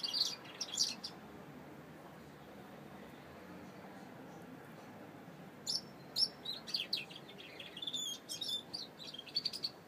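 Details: Saffron finch singing: bursts of thin, high chirps and twittering notes, one short burst at the start and a longer run of rapid notes after a quiet gap, with a faint steady background hum.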